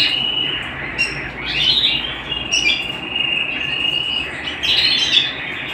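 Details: Canary singing at home: a continuous high warbling song with sustained trills and rolling notes, punctuated by brief rising flourishes and sharp chirps, over a faint steady background hiss.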